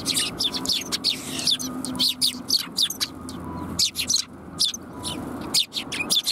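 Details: Sparrows coming to be fed at a Tenmangu shrine on 28 January 2021, giving dense, rapid high chirps and tweets in overlapping bursts, with a faint low hum and traffic-like rumble underneath.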